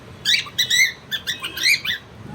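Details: Pet cockatiel responding to its owners during its first proper interaction with them, giving bright, ringing chirps with a rising-and-falling lilt in two quick bursts over about two seconds.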